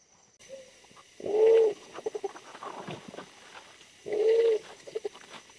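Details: Wild pigeon during decoy trapping, a bird smaller than the decoy but very fierce: two long, low, steady coos about three seconds apart, each followed by a short run of soft quick pulses.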